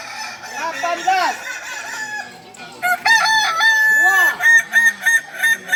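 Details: Kukuak Balenggek chicken training for crowing performance, the native singing breed of Solok; softer crowing gives way to a loud, stepped crow of repeated dome-shaped syllables in a rhythmic run.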